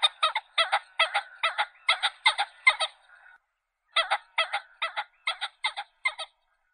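A common pheasant gives harsh, hoarse double notes in a rapid cackling series, about two or three a second, with a short pause midway; nothing else is heard.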